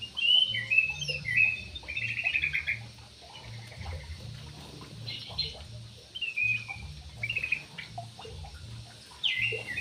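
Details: Javan pied starling, named locally as jalak uret or suren, singing in a busy run of chattering, squeaky whistled phrases with sliding notes, broken by short pauses, over a steady low electrical hum.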